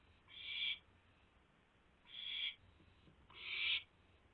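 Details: Owl at a nest during a food delivery, 4:09 AM on 4 May 2016, prey eaten inside; three harsh, hissing screech bursts, each about half a second, separated by quiet pauses.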